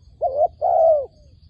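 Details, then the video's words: Dove calling as a lure for trapping doves: a short wavering coo followed by a longer, steady, drawn-out coo that dips at the end, in a quiet background with a faint low rumble. "ឱ្យតែជួបលលកព្រៃ ធ្នាក់ហៅបរសឹងដាច់ខ្យល់"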